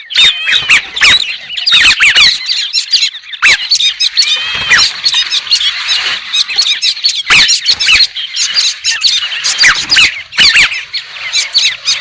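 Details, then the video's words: White-crested laughingthrush giving squealing, wavering notes and bubbling chatter in a long, uneven chorus, punctuated by bursts of sharp clicks and brief quieter moments. "TIẾNG CHIM HÉC SOAN-CHIM ĐẦU TRẮNG"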